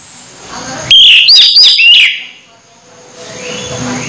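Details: Orange-headed thrush near its moult, still in full voice. One rich, loud phrase of high slurred whistles and sharp chirps lasts about a second, then fades to faint background hiss.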